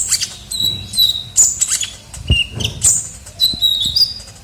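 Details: Kolibri ninja sunbird as lure sound: scattered high thin whistles and short flat piping notes over soft rustling and tapping sounds in the background.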